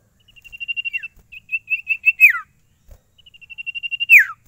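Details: Sirtu (Ashy Tailorbird) in a cage, unstressed and singing: rapid high trills accelerating into steeply falling slurred notes, two phrases separated by a short pause and a soft knock.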